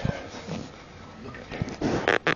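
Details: A male pet cockatoo, excited while watching TV, gives two short, harsh, raspy screeches near the end, after low indoor rumbles and faint television sound.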